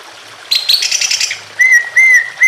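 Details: Greater green leafbird singing emotionally over water sounds: a brief dense burst of high chattering notes, then three clear, slightly rising whistles repeated about every half second.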